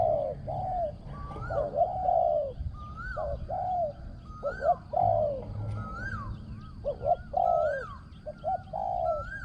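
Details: Spotted dove used for ground decoying, its voice described as small and resonant with strong, well-phrased coos; short coo phrases repeat steadily, each with a mid-pitched rolling end, while other birds add higher whistled notes and rising chirps behind.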